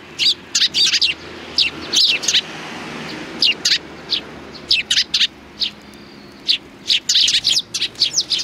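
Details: Sparrows, 29 May 2019, chirping repeatedly in short high notes spaced through the recording, with a low background hum.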